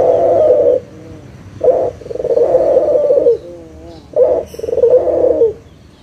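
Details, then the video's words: Puter dove coo played as a lure to make silent doves call: deep hoarse coos in a rhythmic sequence, long rolling phrases broken by quavering softer notes. "SUARA PIKAT PUTER LOKAL GACOR_SUARA PANCINGAN BURUNG PUTER MALAS BUNYI AGAR BUNYI LAGI"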